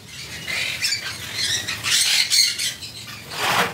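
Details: A red factor Jenday conure (Aratinga jandaya) at a bird farm in Coimbatore gives harsh, raspy, loud high-pitched screeches in three broad bursts about a second apart, with faint background hiss.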